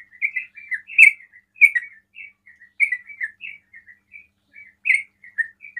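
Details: Rapid 'ropel' song of a sooty-headed bulbul, meant to provoke rival bulbuls into calling; liquid, warbled chirps come irregularly, loud notes alternating with quieter fragments.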